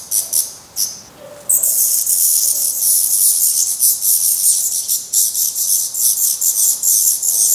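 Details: At a black redstart nest in Portugal, fledglings that have tried first flights keep begging from their parents: a few short hisses, then from the second second an intense continuous rasping chorus in quick pulses.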